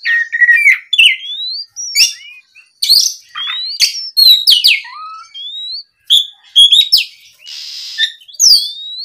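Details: Oriental magpie-robin singing in response to a rival: mellow rising whistles, a low clear whistled note, harsh rasping bursts and quick high chips in lively alternating phrases.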